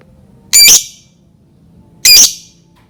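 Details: Lovebird giving two loud, shrill, grating screeches about one and a half seconds apart, used to provoke other lovebirds into song; background silent.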